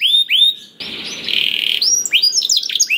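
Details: Caged canary song used to coax silent canaries into singing: a few sweeping notes, then a harsh buzzy rattle lasting about one second, followed by quick mixed chirps and twitters.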